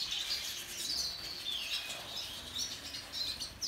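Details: Female and young siskins of several species in an outdoor aviary: many thin, high, twittering and wheezy calls overlap continuously, with short chirps scattered throughout.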